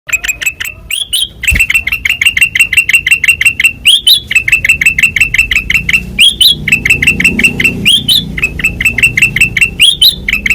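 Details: Kutilang emas (white-eyed form) singing actively in a loud, open ngeplong style: rapid bright chirped notes, some sliding upward, repeated several times a second with brief pauses and a faint low rumble underneath.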